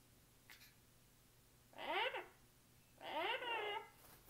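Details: A yellow-crowned amazon gives two rough, harmonic squawks about a second apart, the second longer and wavering, against a quiet indoor background.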